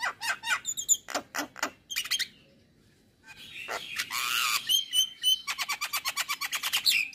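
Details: Male Javan myna (jalak kebo) in the morning, singing a full isian masteran song: rapid clicking notes and buzzy bursts, a brief pause, then a harsh rasping passage, a sharp whistle and a fast run of repeated chattering notes.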